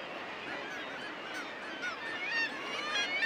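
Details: Common murres (guillemots) in breeding plumage at their breeding colony on the Isle of May fill the air with a dense, steady chorus of overlapping growling and honking calls, many birds at once, kittiwakes loud in the background.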